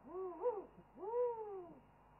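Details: Owl heard on a live wildlife webcam during an owl chorus: two drawn-out, arching hoots, each rising then falling, the second longer and smoother, with faint background hiss.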